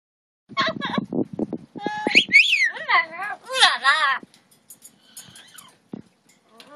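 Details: Two pet double yellow-headed amazon parrots vocalizing: a run of harsh, harmonic squawks and speech-like chatter, then arching whistled notes and wavering rising-falling calls, fading into quieter scattered chirps.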